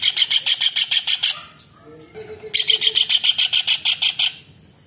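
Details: Kingfisher (tengkek udang, cekakak, raja udang), a bird kept for its lively, clear voice, giving two loud bursts of harsh, evenly repeated chattering notes with faint tonal notes in between.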